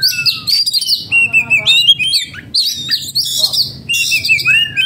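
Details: Oriental magpie-robin in breeding condition and agitated, a kept bird, pouring out loud high whistled phrases with fast rising and falling slides and buzzy trills, phrases roughly every second, low hum underneath.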